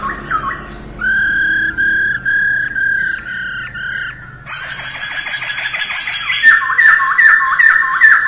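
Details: Masked laughingthrush singing in the early morning during daily voice training: loud, harmonically rich whistled notes held steadily and repeated about twice a second, then a faster, buzzier burst of slurred notes ending in bright chattering.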